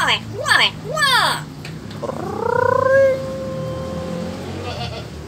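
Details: A Nias hill myna (Gracula religiosa) imitates R2-D2 robot beeps: quick swooping, warbling electronic whistles, then a rising whistle settling into a long steady buzzy tone.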